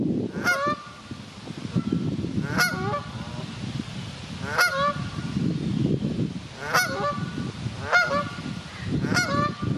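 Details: A Canada goose at a wildlife park in Ludwigshafen am Rhein, having found its lost chicks, gives loud, nasal honks about every two seconds, each rising then falling, over a low rumbling background.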